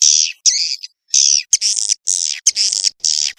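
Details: Swiftlet sounds dated 18 August 2021: repeated loud, harsh, buzzy screeches, each under half a second, separated by brief silences.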